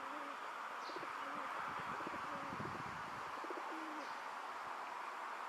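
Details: Male rock dove in a park, puffing out his throat while courting a female, gives low, rolling coos with a soft overtone, several phrases in a row. Brief high chirps of other small birds and a steady outdoor hum run behind.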